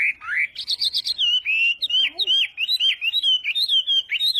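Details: Energetic wambi song, played to coax lazy wambi birds to sing; a fast unbroken stream of looping, warbled whistles with buzzy trills near the start.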